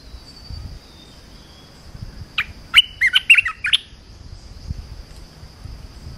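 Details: Short warbling phrase of a red-whiskered bulbul, from a pleasant song used to train young birds: a cluster of quick, sharp whistled notes over low rumbling noise and a continuous high whine.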